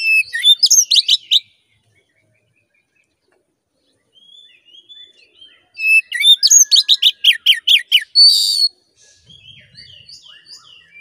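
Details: Oriental magpie-robin song used to stir a caged male into aggression: two dense bursts of sharp, varied whistled notes and a short buzzy rasp, split by a long quiet gap with faint soft twitters.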